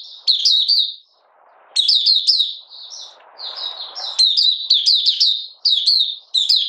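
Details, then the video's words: Malaysian Oriental white-eye kept as a songbird, lightly moulting, singing 'buka sing': bursts of fast, thin, high chirping notes, a pause, then continuous twittering, with some low rustling noise in between. "Malaysian Mata Puteh Buka Sing"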